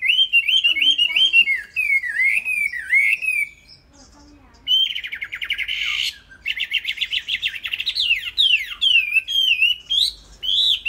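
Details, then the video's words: Chinese hwamei, a caged bird, singing loud rich whistled phrases with rising and falling slurs, a brief pause near four seconds, then a dense run of rapid warbled notes and trills. "Chim Họa Mi"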